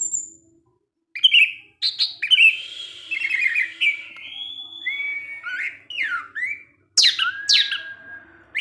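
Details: Orange-headed thrush kept as a songbird sings 'ngecip ngecis teler': varied whistled notes, some drawn out and rising, others slurred downward, delivered in uneven phrases over a quiet background.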